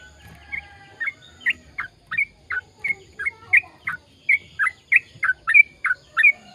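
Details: Sooty-headed bulbul in a chatty, long rapid-fire song played to prompt silent birds to sing: evenly spaced, short liquid whistles, roughly two to three per second, each slurring down then up, over a soft background hum.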